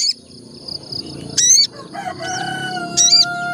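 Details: Olive-backed tailorbird song used as a lure to get the bird singing: two loud, harsh, buzzy notes about a second and a half apart, over a faint pulsed high trill and a low background rumble.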